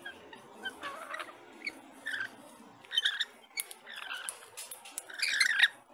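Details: Lorikeets chattering in short, scratchy, irregular bursts of high squeaky notes, building to harsher, louder screeches toward the end.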